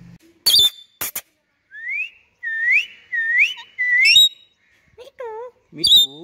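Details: Ringneck parrot sitting on a stem: a series of rising whistled notes, repeated four times about every half second, with a few sharp chirps before and low wavering notes near the end.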